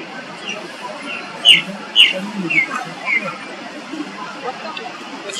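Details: Ring ouzel (Turdus torquatus) calling at Lötschental, Switzerland, in June 2023: hard, clicking tack notes, about two a second and unevenly spaced, the loudest pair near the middle, over a steady background hiss.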